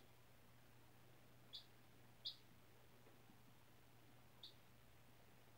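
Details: Four-day-old chicken chick raised indoors after hatching from a white egg in a classroom incubator, on fresh bedding; three brief, high, isolated peeps spaced about a second apart, otherwise quiet apart from a low electrical hum.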